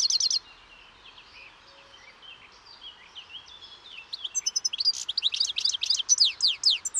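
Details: European goldfinch song: a brief buzzy trill, a stretch of soft, distant twittering, then a rapid cascade of bright, downslurred notes repeated briskly to the end.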